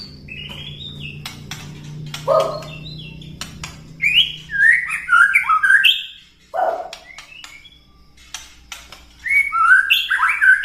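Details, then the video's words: White-rumped shama ketrekan meant to stir other birds to sing: varied fluty warbles and slurred whistles among sharp clicking notes, a low-pitched note near the middle, and a pause before a final burst. "KETREKAN MURAI BATU BIKIN EMOSI"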